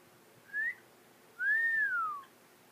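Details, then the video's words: African grey parrot kept as a pet indoors and just learning to talk, giving two clear whistles: a brief rising note, then a longer, smooth arched whistle that rises and falls, in a quiet room. "African grey talking"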